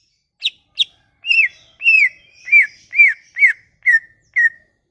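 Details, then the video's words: Sumatran leafbird lure song for making leafbirds sing: two short high sharp notes, then seven arched whistles slurring downward about every half second. "Kicauan ini MAMPU memikat cucak ijo MACET bunyi"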